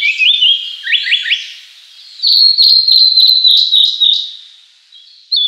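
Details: A narcissus flycatcher, a summer visitor to Japan, sings clear whistled phrases that step up and down around a high pitch, followed by a rapid run of bright, ringing notes.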